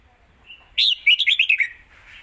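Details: Red-whiskered bulbul in a quick fast-beak style phrase: a strong opening note followed by five or six fast, liquid, falling whistles run together, with a soft trailing warble afterward.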